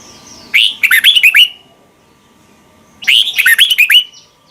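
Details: Red-whiskered bulbul song from Thailand, played to young birds so they learn to copy. Two matching warbled bursts of bright, bouncing whistles about two and a half seconds apart. A low steady hum sits underneath.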